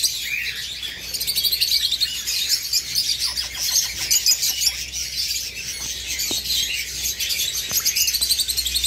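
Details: Eastern rosella parents with fledglings; the male chases the older chick, which feeds on its own, while the newly fledged one is left alone. Steady high chattering, with bursts of rapid clicking in the middle.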